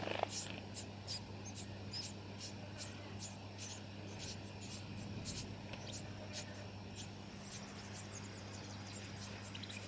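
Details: Brown-headed honeyeater (Melithreptus brevirostris pallidiceps) in Victoria, Australia, December 2017, giving a rapid, continuous series of thin, high chips, several per second, against a low steady hum.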